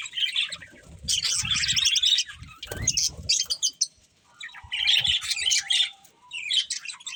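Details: Budgies chatter in bursts of high, scratchy warbling with short squawks, broken by quieter gaps; low knocking and rustling sounds underneath around the middle.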